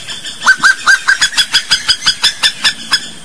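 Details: Loud, steady series of harsh, ringing notes from a slaty-breasted wood rail, Brazilian fauna, repeated roughly four times a second throughout without pause.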